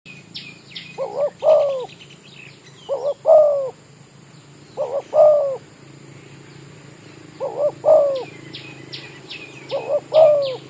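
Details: Village-type spotted dove used as a decoy for trapping, calling in an oil-palm plantation: a soft two-note lead-in then a deeper rolling coo, repeated about every two seconds, with thin chirps from small birds above and a steady hum.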